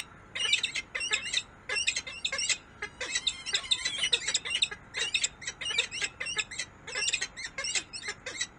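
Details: Peregrine falcon in Harrisburg, USA, giving dense bursts of sharp, high, harsh calls in quick runs, clustered in repeated groups with short pauses between them, against a quiet background.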